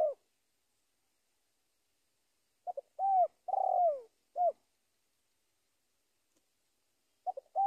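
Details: Spotted dove calling toward a rival with scattered mellow coos. Some are short and downslurred, and a louder drawn-out coo falls in pitch, with long silent gaps between the notes.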